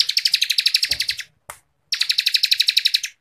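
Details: Bar-winged Prinia (ciblek kristal) in dense 'ngebren' style for contest-bird tutoring: two fast runs of loud, high, sharply pulsed notes, roughly fifteen per second, with a brief click between them.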